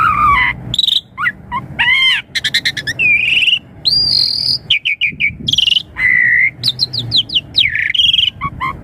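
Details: Asian pied starling singing a rich, full lure song for young birds, mixing harsh rattling bursts, clear slurred whistles and rapid chatter, busy and continuous throughout.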